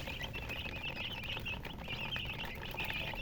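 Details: Baby chicks chirping: a crowd of shrill, rapid peeps overlapping without pause, each a short high note, with a faint low rumble underneath.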